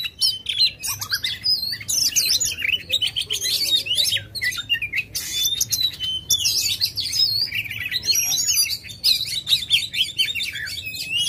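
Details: Aggressive Oriental magpie-robin with its tail fanned, pouring out continuous song: rapid slurred whistles, rising and falling notes and scratchy trills packed closely together, barely pausing, in a small room.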